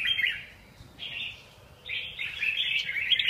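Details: Red-whiskered bulbul song in three bursts of rich, bubbly warbling, each lasting about half a second to over a second, separated by short pauses, the last burst longest and loudest; background quiet.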